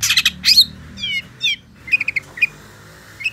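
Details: Long-tailed shrike (pentet) giving harsh squawky notes, then wavering trilled whistles, followed by a few short chips separated by quiet gaps.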